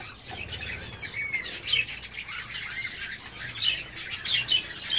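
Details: Courting Gouldian finch: thin high whistles and short squeaky notes over a hissy, twittering background, with brief thin upward slurs near the end.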